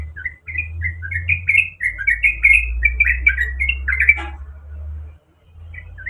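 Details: Sooty-headed bulbul female calling to a male, in breeding condition: quick bubbling notes rising and falling in a rapid string for four seconds over a steady low hum, then a brief pause and two more notes.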